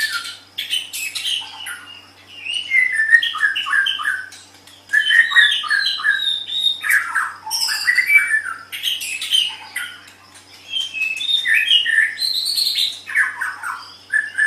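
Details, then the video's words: Cage-bird training recording of a white-rumped shama singing fast, dense, varied phrases. Sweet whistles mix with harsher chirps in bursts of several seconds, separated by brief dips, over a faint steady hum. "Suara Burung Murai Batu"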